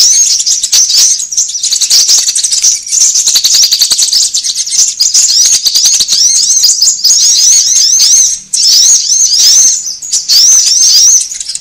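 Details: Sunbird lure chorus used to call birds together and make caged birds sing: a fast rattling clicking passage gives way to loud, high, looping chirps in tight runs, briefly broken near the end.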